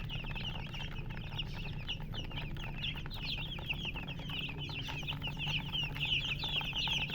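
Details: Chicks of the chicken chirping fast and high, a busy stream of short falling peeps growing slightly louder toward the end, low hum behind.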